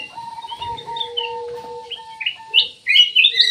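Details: Ruby-throated bulbul, locally cucak emas, starts with soft scattered notes over a steady low double tone, then bursts into loud, rising, slurred chirps at the end.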